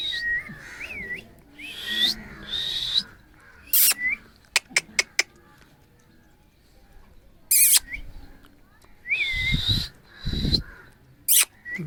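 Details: Harsh, grating screeches from an angry Alexandrine parakeet come in separate bursts with rising whistled inflections between them, plus a few sharp ticking clicks and faint music.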